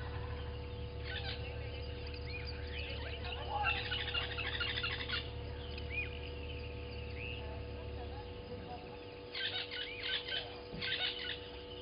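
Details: Newly arrived Southern masked weavers chatter at a waterhole on Djuma Game Reserve in the Sabi Sand, South Africa, 07:30 on 12/06/20. Dense buzzy, sizzling bursts come in clumps, with a pause before a final burst near the end and a constant hum beneath.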